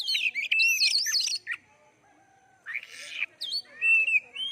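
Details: Oriental magpie-robin song, used to spur other birds to sing: rapid warbled whistles and a harsh buzzy note, then a pause, then more slurred, rising and falling whistles.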